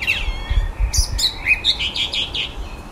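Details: A male blackbird singing at the bottom of a garden in the evening, as he does nightly while moving around his territory, gives quick, chirpy phrases mimicking electronic beeps, with bright sharp notes and high buzzy bursts over a low rumble.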